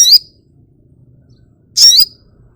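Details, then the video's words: Two loud, buzzy, wavering notes slurring downward from a pet flowerpecker, separated by about a second and a half of near silence. "Tropical Bird Calls to Relax honey bird sogokontong"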